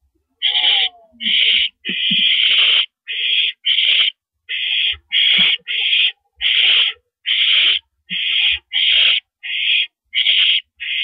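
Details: Owl recorded on April 13, 2012 at 5:40 AM, giving harsh, hissing screeches in quick succession, each about half a second long with short gaps, with faint low thumps underneath.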